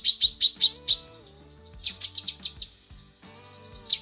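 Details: A female cucak kinoi calls the male with clipped, high chirping notes, a short drawn-out whistle, then another fast chirp series. Faint steady low tones, like background music, continue throughout.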